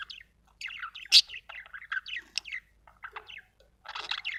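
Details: Budgerigar chirping: quick sequences of squeaky whistled chirps and scratchy buzzy notes with short pauses, ending in a denser grating burst.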